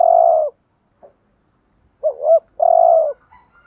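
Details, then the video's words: Low cooing of a decoy spotted dove used to attract other doves: long purring note, brief pause, then a double-humped coo followed by another drawn-out burring coo. "Tiếng chim cu gáy kích bổi và mồi rất xiêng gáy"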